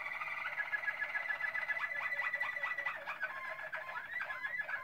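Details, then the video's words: Malinois-type Waterslager canary recorded in 2016, delivering a fast, evenly pulsing roll of low bubbling notes over a whistled line, continuous throughout. "Malinois Waterslager 2016"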